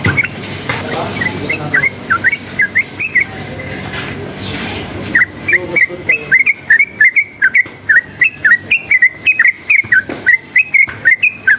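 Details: Sooty-headed bulbul, agitated by noise, singing energetically: after a quieter opening of clipped whistles, a long steady series of loud, sharp, slurred whistled notes follows, roughly two to three each second, over faint low hum.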